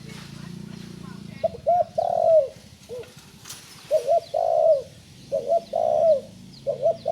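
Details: Recently learning to call, a young spotted dove gives repeated cooing phrases. Each one has two short coos and a longer descending coo, with a single coo between phrases. Low rumbling background noise comes first, then a quieter hum.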